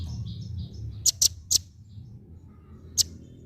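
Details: Female velvet-fronted nuthatch uttering three sharp high chips close together, then a single chip after a pause, over a quiet background with faint soft chirps.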